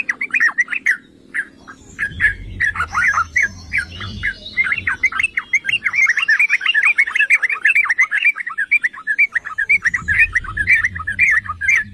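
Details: Yellow-vented bulbuls singing, used as a lure to provoke other bulbuls: dense, continuous bubbling chatter of quick overlapping notes, possibly several birds, with a low rumbling hum in places.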